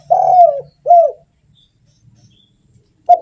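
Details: Spotted dove singing actively, kept as a lure for other doves: two low hollow coos, the first drawn out and falling, the second short and arched, then a pause and a clipped final coo.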